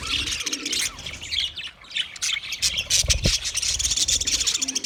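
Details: Chirping budgies fill the air with fast, scratchy chatter in irregular bursts, pausing briefly near two seconds before a louder run of sharp chirps and warbles.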